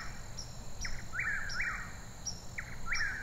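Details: Chirping birds give quick downward-sliding chirps in small bursts, alternating with faint high ticking notes, against a continuous high-pitched tone and low rumbling environmental noise.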